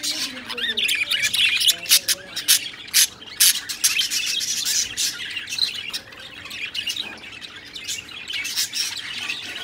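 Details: Budgerigars in breeding season, occupying nest boxes and mating, chatter with busy, scratchy warbles and sharp squawks, several birds calling over one another.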